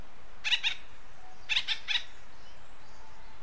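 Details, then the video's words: Acorn woodpecker from western North America: a doubled raspy call, then a quick triple burst of the same nasal, grating notes about a second later. "Acorn Woodpecker Call"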